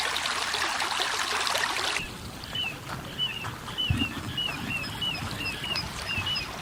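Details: Little ringed plovers flying and calling along a river in May 2015, two to four birds circling a set area, perhaps searching for a nest site; a loud rushing burst, then a series of quick, clear, down-slurred whistled notes, about ten in all.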